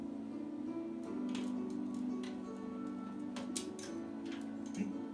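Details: A steady low musical drone with soft ticking clicks indoors, and no animal voice is heard.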